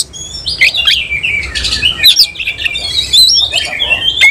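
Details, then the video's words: Oriental magpie-robin of the semi-Cililin type, singing loudly while spreading its tail in display. Rich, varied whistled phrases, some rising and some falling, mixed with sharp clicking notes, run continuously without pauses. "Kacer langsung NEMBAK NGOBRA BUKA EKOR || KACER SEMI CILILIN"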